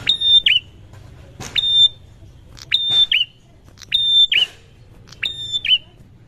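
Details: Prinia answering another prinia: a sharp click followed by a steady high whistle with a downward twist at the end, repeated roughly every 1.2 seconds. A faint low hum runs underneath.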